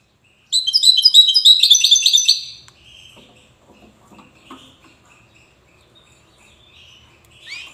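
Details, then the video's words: European goldfinch in Safi, Morocco, gives a short widani-style burst of high, tinkling twitters lasting about two seconds, followed by near silence with faint scattered chirps and one last rising note. "حسون ويداني"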